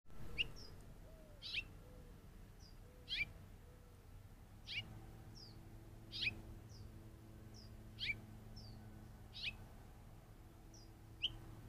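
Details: Curve-billed Thrasher chirping off screen, picked up by a trail camera: sharp, short whistled chirps that sweep downward, repeated about every one to two seconds, with soft low cooing notes near the start and a steady low hum.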